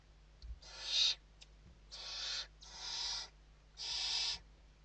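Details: Evening feeding inside a Western barn owl nest, Spain, 29 November 2023; four long, noisy, breathy screeches about a second apart, the first loudest, over a faint background hum and small clicks.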